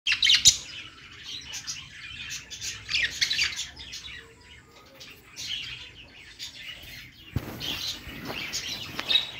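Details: Pet budgerigars singing on a perch, a dense high chattering warble of squeaks and chirps that swells and fades in bursts, with a short quiet spell before a louder burst near the end.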